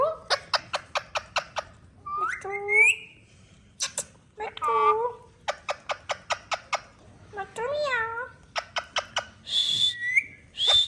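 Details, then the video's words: Hand-tame pet talking parrot in a room. Bursts of rapid clicking taps alternate with curving, harmonic squawks and word-like mimicked phrases, ending in a sharp whistle. "Mia Mitho Talking Parrot"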